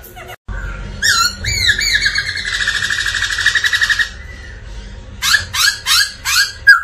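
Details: Black-throated laughingthrush singing and displaying intensely: loud, rich whistled phrases slur upward, then break into fast buzzy chatter, followed by a run of ringing rising whistles about twice a second.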